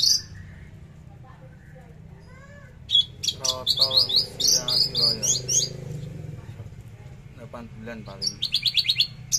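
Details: Javan bush lark in free trotol song, delivering sharp shot-like bursts: a high whistle, then a fast run of clipped rising chips and lower harmonic notes, a pause, and another rapid volley of bright repeated notes, with low background hum.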